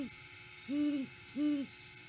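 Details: Solo male Great Horned Owl perched near the nest at sunrise, August 12, 2022, off-season: the tail of one hoot, then two long, low, level hoots about 0.7 seconds apart against a quiet electrical hum.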